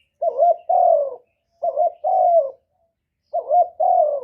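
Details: Captive spotted dove used to attract wild doves, calling its lure song: three deep, mellow double coos, each a short quavering note then a longer falling note, evenly spaced.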